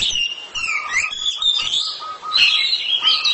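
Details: Oriental magpie-robin kept as a house bird, singing loudly with mixed whistles and chatter, while a lower steady tone sounds on and off underneath.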